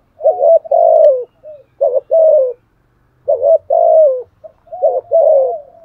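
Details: Fighting coos of a spotted dove in the 'thổ' voice: four deep two-part phrases, a brief note then a sustained falling coo, separated by short pauses, with a faint low hum underneath.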